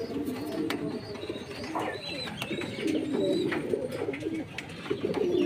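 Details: Jacobin pigeons cooing, with low, bubbling, rolling coos running almost continuously, overlaid by faint higher chirps and sharp clicking noises.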